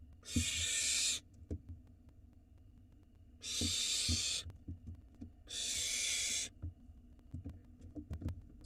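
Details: Barn owl nestlings in a nest box in Israel, live camera, begging for food brought by the father: three rasping hissed screeches about a second long, spaced two to three seconds apart, with clicks and scuffles.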